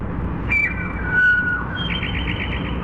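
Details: Towhee song slowed down to reveal its musical intervals of a fourth and a fifth, which the bird varies from day to day: a clear high whistle drops to a lower held whistle, then a quick buzzy trill of about eight notes over a low rumble.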